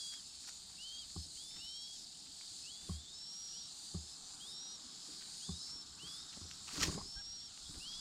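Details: Chinese Hwamei pair raising their four chicks: thin, high upslurred whistles repeated every second or so over steady hiss, with a few soft knocks and one sharper click.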